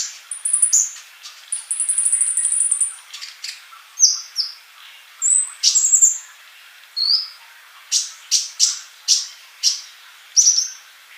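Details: A male olive-backed sunbird singing steadily, used to train young birds that are still mute. A long high thin whistle is followed by varied squeaky notes, then evenly spaced sharp chips about every half second.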